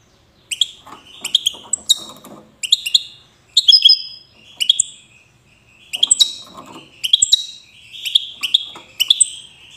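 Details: European goldfinch of the type called wydani, from the city of Safi, Morocco, singing: bright twittering phrases of sharp high notes and buzzy slurs, bursts roughly every second with short pauses, faint low rustling beneath.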